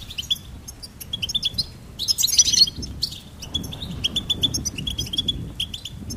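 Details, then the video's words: Lively goldfinch chirping: sharp high notes in rapid runs, a brief loud scratchy burst near the middle, then more evenly spaced tweets over soft low noise. "Charming Goldfinch Peep Fun for bird stimulation birds chirping"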